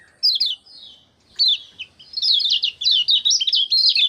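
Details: Kecial kuning white-eye, singing actively in ngejos style, 6 December 2024. A few separated thin whistled slurs open, then a fast high twittering burst of short swooping notes runs to the end.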